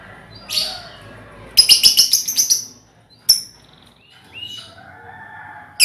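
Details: Lovebirds in a colony, heard as a lure for ngekek trilling: a rapid run of about eight shrill chirps, then single sharp notes and softer, thinner calls trailing off.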